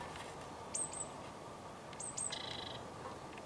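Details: Eurasian blue tit, Sony HDR-PJ10E camera recording: two very high, thin double notes about a second apart, the second followed by a brief lower buzzy churr, over faint steady background noise.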